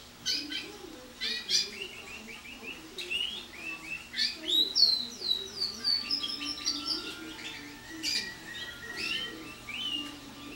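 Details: Canary in early song training, a bird rich in silvestres (wild bird notes) that builds compuestas from them and sings a little rodada; high chirped and whistled phrases, quick descending notes and trills over faint low hum.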